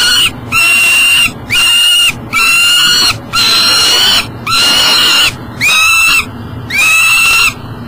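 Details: With breakfast in hand and no way into the nest box, a peregrine falcon in Elk River, Minnesota, July 2012 morning, repeats harsh arched wailing calls about once a second, eight in a row.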